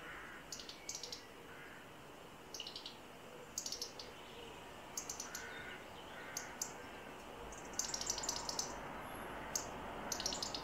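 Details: A European robin gives a loud alarm call as a cat enters a garden, about 11am on a bright morning on 12 May 2024: sharp, clicking tick notes in uneven bursts, with a thin high note near the end, over a steady hiss.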